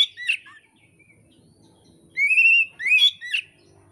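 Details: Oriental magpie-robin singing energetically, Indonesia, taught-song material for bird keepers: a quick warble, a pause, then a sustained rising whistle followed by two sharp, slurred notes.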